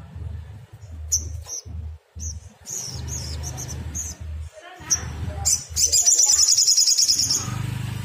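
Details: Sogon (black sunbird) agitated lure song meant to make other birds answer: a run of short high whistled chips and clicks building into a fast, sharp trill near the end, over a low rumbling hum.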